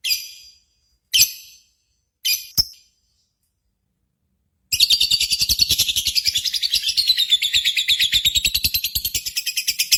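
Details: Lovebird lure sound from a contest simulation meant to excite birds into singing: a few scattered harsh chirps, then a long continuous fast rattling chatter of buzzy notes.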